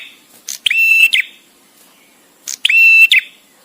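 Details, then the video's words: Male bar-winged prinia, paused song for training songbirds: two loud harsh buzzy ringing phrases about two seconds apart, each preceded by a quick chip. "suara prenjak tamu JANTAN!!! dengan jeda cocok untuk masteran"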